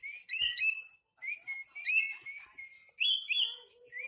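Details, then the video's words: Black-capped lory, angry, repeating harsh screeches interleaved with steady whistled tones and brief upward-sliding squeaks, fairly continuous over a few seconds. "Burung sahabat lagi marah"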